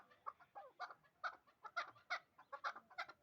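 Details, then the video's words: Hybrid partridge, two years old, kept in Dushanbe for fighting and hunting: a fainter, uneven string of short chucking notes over a soft background hiss. "Кабки гибрид"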